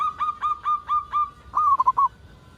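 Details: Local zebra dove calling eagerly, used to lure other zebra doves into calling: six evenly spaced soft coo notes, then a quick bubbling trill of four rapid notes.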